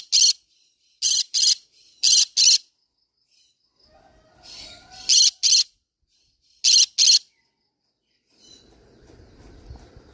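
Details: Green-cheeked conure parrot vocalizing: loud, shrill, rasping screeches, often in quick pairs, repeated with short gaps, with faint softer chatter between and a low rustling hum at the end.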